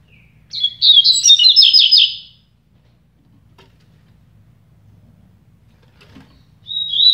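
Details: Double-collared seedeater in a singing contest with another bird: a quick, jumbled high twittering phrase of about a second and a half, several seconds of near silence, then a thin whistle as the next phrase begins.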